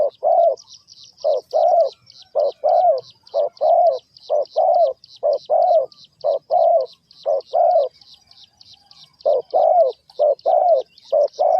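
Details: Spotted dove cooing, linked to bird trapping: a long run of short, low, even coo notes in quick succession, broken by one brief pause. A steady series of faint high ticks from other birds throughout.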